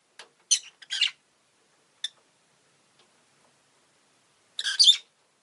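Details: Harsh, scratchy chirps of a rosy-faced lovebird: a quick cluster of squawks, a lone click, a pause, then a drawn-out grating burst.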